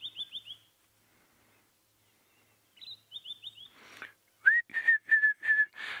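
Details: At sunset on 26 November 2016, a white-browed scrub robin calls from an open, prominent perch at a thicket edge: quick runs of high, slurred whistles, then clear repeated whistled notes, with faint rustling.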